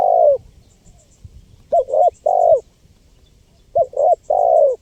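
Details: Spotted dove coo used for luring wild birds: three hollow, low phrases, each with two quick notes and a longer falling final hoot, while faint high ticking and chirping sound in the background.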